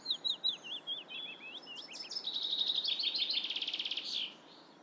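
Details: Black redstart singing: a brief run of clear, high whistled notes with small pitch bends, then a dense, scratchy crackling burst of rapid buzzy notes lasting about two seconds before stopping abruptly; faint background hiss.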